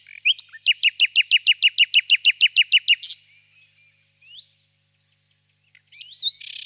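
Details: Common nightingale singing a rapid series of about fifteen identical clicking high notes over two and a half seconds. A burst ends the series, then quiet rising whistles follow at intervals.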